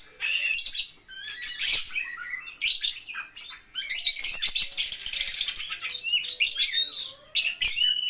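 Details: Lovebird ngetik-style song: irregular bursts of sharp high chirps building into a long, fast, rattling stretch of dense chatter, then sliding squeaks and a final burst.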